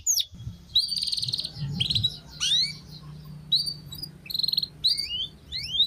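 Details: Canary master song for training: short bright rising whistles and brief buzzy trills in separated bursts, over a steady low hum in the background.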